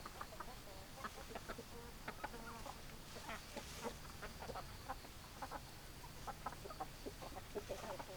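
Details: Chickens, hens clucking: a steady run of short, sharp, harmonic clucks repeated several times a second throughout, over a low background rumble.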